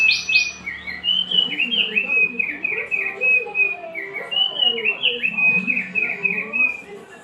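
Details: Oriental white-eye kept as a master singer, giving a chain of soft slurred whistled notes that rise and fall, over a busy murmur of lower warbling and chatter in the background.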